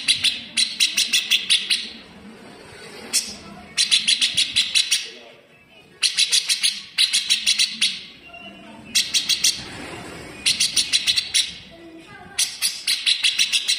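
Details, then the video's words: Grey-cheeked bulbul (cucak jenggot) in full-speed tight besetan style, harsh and sharp, used as a model song for teaching cage birds such as cucak ijo: rapid bursts of rasping, clipped notes in volleys of about six, with short gaps between. "MASTERAN FULL SPEED || CUCAK JENGGOT GACOR BESETAN RAPAT"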